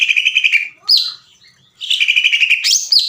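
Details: Greater green leafbird, a lure recording of long 'ngekek' chatter said to sound like a sewing machine, meant to excite other leafbirds into singing: two fast bursts of rattled notes, each ending in a rising upslurred whistle, with a pause between.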